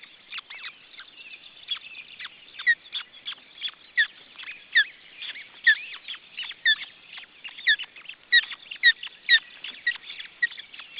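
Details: Osprey nest, June 2012, where a second chick has appeared: a long run of shrill, slurred whistles, some paired, rises out of busy, thin chattering that never stops.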